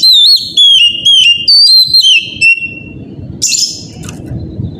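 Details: Oriental magpie-robin singing in the morning as a lure to prompt other magpie-robins to sing: loud, clear whistled notes, each sliding downward, about two per second, then a drawn-out falling whistle and a brief harsh burst near the end.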